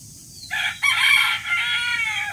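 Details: A rooster crows in the morning, a short opening note then a long, hoarse, strongly harmonic crow held and slowly fading over about a second and a half.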